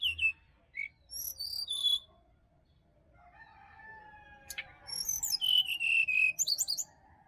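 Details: Wild sirdadu singing in a Bali forest, recorded for morning use to prompt a caged bird that is reluctant to sing: bright cascading whistles stepping down from very high notes, a pause, then a sharp note and another falling whistled run.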